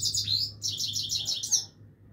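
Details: Short run of Himalayan goldfinch song, quick high twittering notes and slurred chirps strung tightly together, stopping after about a second and a half, low steady hum behind.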